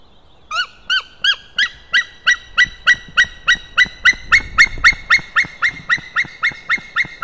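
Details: Male white-tailed eagle calling on 16 May 2016, late morning: after a short pause, a long run of about nineteen sharp, harmonic yelping notes, evenly spaced roughly three per second, holding steady and strong to the end.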